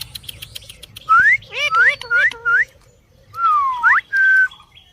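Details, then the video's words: Parrot producing a series of clear rising whistles, several short upswept notes in quick succession, then a longer falling-and-rising whistle and a steady held tone, over a quiet low background hum. "parrot natural sounds"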